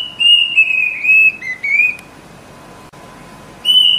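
Plaintive cuckoo giving a clear, mournful whistled series of about five notes stepping down in pitch, then a pause before the next series begins.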